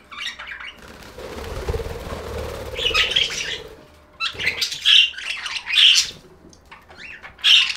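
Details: Budgerigars in a bout of chirping: bursts of scratchy warbles and sharp squawks, with a quieter rumbling, buzzy stretch before them and loud chirp bursts roughly every second afterward.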